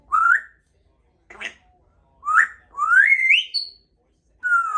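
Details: Pet two-year-old female Congo African grey parrot practising words and sounds indoors at home; a string of bright whistled notes, several sliding steeply upward, separated by short pauses, with a brief buzzy note between.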